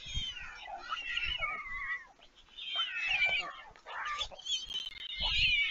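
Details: At a nest at Leemansmolen, Vriezenveen, in the Netherlands, on 11 July 2022, young white storks that have already fledged beg as a parent feeds them. Several overlapping, cat-like mewing wails rise and fall, with dull low thuds.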